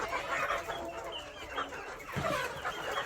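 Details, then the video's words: KUB village chickens raised in Aceh Besar, a brief burst of flock noise: several clucks and short cackling notes overlap in a crowded, steady chorus. "ayam kampung kub"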